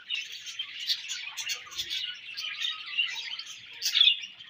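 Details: Budgerigars in breeding season: a dense, continuous chatter of high, scratchy chirps and warbles from several birds, with a slightly louder burst of sharp notes near the end.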